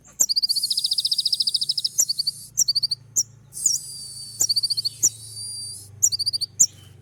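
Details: Sunbird song meant to make a rival bird answer: long fast series of piercing high chips over a buzzy tone, with whistled upslurs and a faint low hum underneath.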